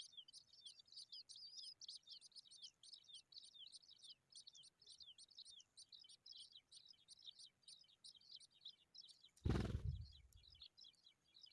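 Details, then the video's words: Skylark young in sunshine keep up a faint, fast stream of thin high chirps, several each second, broken near the end by a sudden loud low rumble before the chirping resumes. "Skylarks bird babies in the sun"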